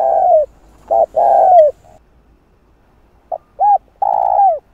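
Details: Spotted dove cooing in a voice meant to stimulate wild doves: long buzzy, slightly falling low coos with short clipped notes between, a pause in the middle, then a quick note, an arched hoot and another drawn-out coo.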